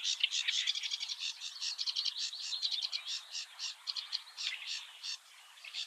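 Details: A Eurasian reed warbler sings early in the morning at the Oostvaardersplassen, Netherlands: a steady, high, scratchy chatter of churring notes, each repeated two or three times, with no other sounds.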